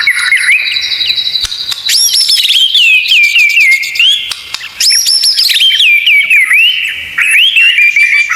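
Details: White-rumped shama (murai batu) delivering a long 'isian tembakan' training song: quick rising flourishes, then wavering whistled phrases stepping downward, a short dip in loudness midway and another strong burst of varied notes.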